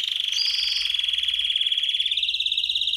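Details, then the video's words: A canary sings to stimulate hens for mating and as training song: one continuous, rapid, high-pitched trill held for three seconds, with a brief higher tone near the start. "تغريد كناري للتسميع و تهييج الانات للتزاوج حصريا - canary singing training"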